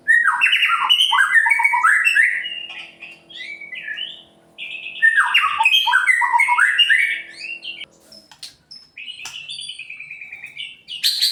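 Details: A white-rumped shama, the type called murai pastol, in full song, used to provoke other birds into singing: rapid varied whistled phrases of rising and falling notes, dense for eight seconds, then sparser notes with a brief pause.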